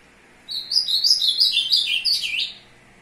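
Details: Ultramarine grosbeak (azulão) singing while courting a female, recorded 2 June 2022: a rapid warbled phrase of about two seconds, descending through bright slurred notes and ending in a sharp upturned flourish.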